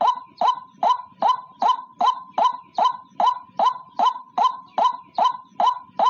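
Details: Clear lure call of a lone white-breasted waterhen, used for trapping: evenly spaced, hollow, clipped notes repeated rhythmically, about fifteen in six seconds, with no other sounds.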